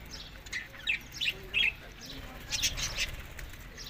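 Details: Budgerigars eating summer food in Larkana, Sindh, May to June: a few quiet, thin chirps in the first half, then fainter scratchy chatter, with soft rustling in the background.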